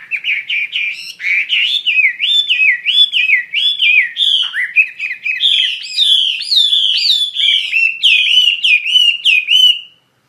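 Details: Chinese hwamei singing 'gacor' style, nonstop: rolling, looping whistled notes repeated roughly every second, pitch wavering up and down, with brief harsher fragments midway before the phrase ends abruptly.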